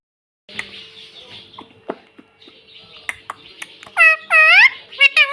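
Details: Pet ringneck parrot said to talk, saying "mummy" and "mitthu"; soft low chatter at first, then loud harmonic wavering squawks in quick bursts near the end.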